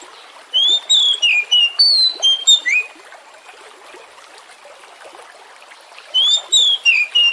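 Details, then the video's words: Oriental magpie-robin (kacer) song used as a lure to make other birds sing: two bursts of clear whistled notes, sliding and falling, over a steady trickling stream. "Pancingan kacer Jenis APAPUN agar Lekas GACOR dan NGEPLONG"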